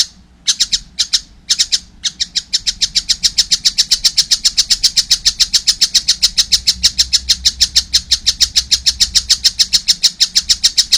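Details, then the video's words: After a few hesitant opening notes, a young collared kingfisher launches into a long, unbroken, fast series of harsh, scratchy calls. "wow masih kecil udah gacor , anakan burung tengkek buto"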